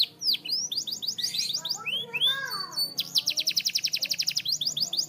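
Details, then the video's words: Singing canary for training: varied whistled slurs and downward sweeps, a lower warbling passage in the middle, then a fast even trill of repeated sharp notes. "Super Active Canary Singing Makes Your Canary Sound"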